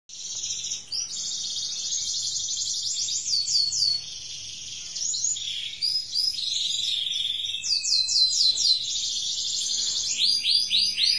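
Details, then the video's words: Canary learning to sing, delivering continuous high trills and rolling phrases of rapid repeated notes. The song varies in texture, with sweeping descending slurs near the middle and end, and no other sounds stand out. "kenari belajar bunyi"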